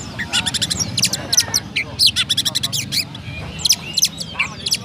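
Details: Oriental magpie-robin kept in Pemalang, Central Java, Indonesia, delivering gereja-style song: dense runs of high, sharp sparrow-like chirps in quick bursts, with occasional squeaky slurred notes, over low background hum.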